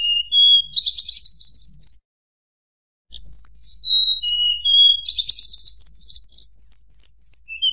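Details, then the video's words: Sunda blue robin singing flute-like to provoke rival birds. Two phrases separated by silence, each with rising whistles leading into a long buzzy trill, the second ending in high slurred notes. "tledekan gunung nyuling bikin lawan emosi"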